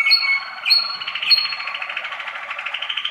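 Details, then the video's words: Waterslager canary, a 2013 youngster, opens with three clear whistled notes and moves into a fast even rolling trill of rapid repeated pulses. "waterslager 2013 noveles"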